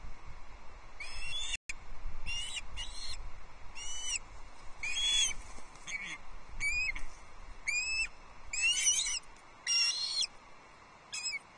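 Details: Osprey chicks competing for a fish at a Loch Arkaig nest, Scottish Highlands; scattered sharp whistled and squealing calls at irregular intervals, some rising, with brief dropouts and a soft background hiss.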